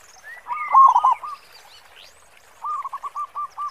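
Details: Singing local zebra dove, prized for its big 'khong' voice and used to lure others: a loud rolling cluster of coos, a pause with faint chirps, then a series of about six clipped coo notes.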